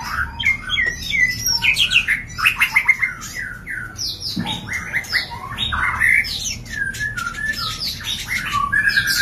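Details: White-rumped shama during mating, played to trigger breeding: dense, rapid run of varied whistles, slurred downward notes and harsh chattering squawks, barely pausing.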